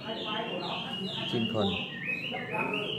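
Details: A caged Chinese hwamei (Garrulax canorus), kept two years, sings its aggressive fighting song for contests against rival males: a continuous run of loud, bright whistles slurring up and down, with human voices murmuring underneath.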